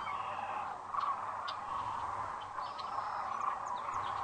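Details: Sandhill cranes arriving for the night at Rowe Sanctuary, Gibbon, Nebraska, at sunset on April 4, 2013, on a webcam; a dense, unbroken chorus of rolling calls from many birds, with scattered brief higher chirps and a thin whistle.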